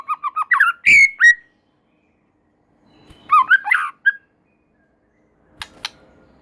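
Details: White-rumped shama (murai batu) in full, eager song, said to set other shamas singing too: a run of short whistled notes, then loud rasping bursts and a downslurred whistle, a pause, and a second harsh-and-whistled phrase.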